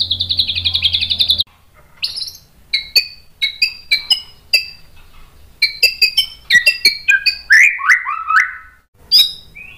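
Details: White-rumped shama in a training recording used to stir other shamas to answer: a fast buzzy rattle, then a varied run of sharp separate notes, clear whistles and slurred falling phrases with short pauses.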